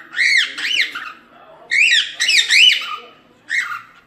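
A cockatiel gives bursts of shrill, arching whistled screeches, several notes at a time with short pauses between them, in a small indoor room.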